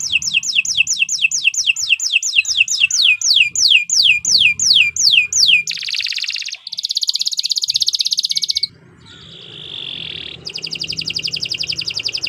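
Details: Canary in long, vigorous gacor song: a fast series of high descending whistled sweeps, then dense buzzy rolls and rattling trills, a brief pause, and another rapid trill.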